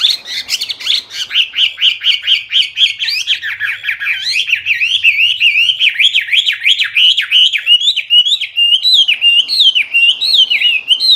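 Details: Hwamei, also called wambi, in full loud clear song: a long unbroken run of rapid varied whistled phrases, rising and falling in quick loops with many mimicked-sounding notes.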